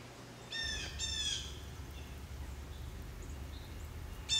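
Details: Blue jay giving two harsh, buzzy calls close together, each rich in stacked overtones, then a third call starting right at the end; steady low hum underneath.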